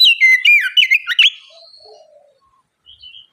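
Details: Oriental magpie-robin pouring out a fast run of loud, ringing whistles that sweep up and down, as bait song for a young bird to quickly sing and reply. It trails off into faint soft notes.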